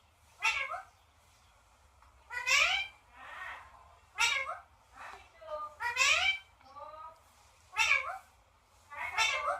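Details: Indoor parrot calling in a rapid string of short, bending, meow-like and chattering notes, some rising and some falling, about seven bursts in ten seconds over a low background hum.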